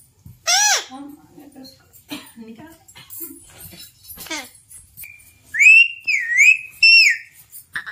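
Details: A pet Alexandrine parakeet being taught to say "Har Har Mahadev" gives harsh, nasal speech-like syllables and several loud, sliding whistles, with its owner's voice faint between them.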